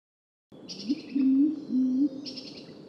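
A pigeon gives soft, low cooing notes: a short lead-in, then two drawn-out, slightly rising coos, over a faint steady hiss.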